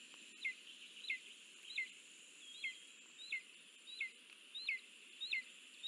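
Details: Lesser spotted eagle (Clanga pomarina), recorded 9 July 2024 during a delivery, gives short, high yelping notes, about nine in a row at a steady pace, over a constant background hiss.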